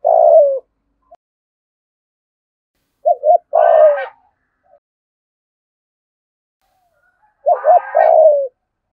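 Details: Decoy spotted dove of the 'giọng thổ' voice type calling its full repertoire. Three spaced phrases of deep cooing, each a stuttered double or triple note ending in a drawn-out descending coo, some slightly rougher.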